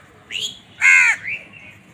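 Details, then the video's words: Crows squabbling over food: a thin, rising, slurred note followed by one loud, harsh, strained caw, then a softer trailing rasp. "Crow bird crowing sound"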